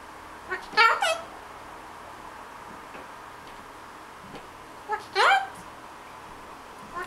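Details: A pet parrot chatters in the morning while dozing and imitates animal noises. Two short bursts of warbling, harmonic calls are separated by about four seconds of near silence, with faint clicks in a quiet room.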